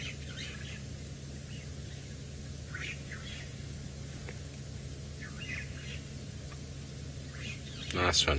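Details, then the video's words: Starlings in the background at sunset in Sabi Sand, South Africa, calling noisily: short clusters of harsh chirps and chatter come and go over a low vehicle hum, ending in a loud rustle. "can hear the starlings in the background making a whole lot of noise."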